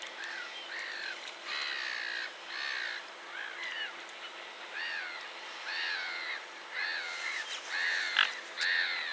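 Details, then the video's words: Gulls calling, with repeated harsh, mewing, arched cries in bursts, often paired or in short series, overlapping from several birds against a steady low background hum. "Gulls / Mewy"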